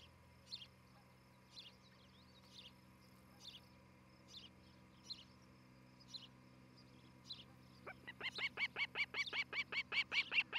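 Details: Osprey at a nest in Charlo, Montana, on a nest camera: soft spaced chirps over a steady low hum, then a fast, building series of sharp, high whistled chirps near the end.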